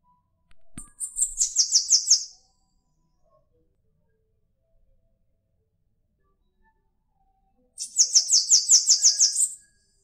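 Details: Bananaquit, called sibite in Brazil, singing two short high buzzy trills of rapidly repeated notes roughly six seconds apart, with a faint click before the first.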